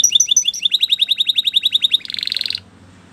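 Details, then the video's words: Canary singing for training: a sequence of bright chirped notes that speed up into a rapid even trill, then a short buzzing roll before fading into quiet room noise. "Your Canary Will Sing Immediately"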